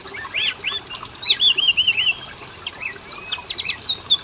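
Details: Oriental magpie-robin (kacer) song used as a lure so males and females sing: looping whistled phrases, a run of wavering downslurred notes, then quick sharp chips and high clicks.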